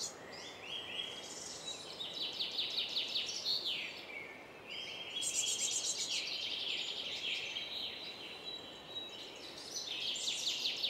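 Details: Song thrush, parents feeding their four young about 10 m up; loud, varied high phrases, each note repeated several times in quick runs, with brief pauses between bursts and a steady hiss behind.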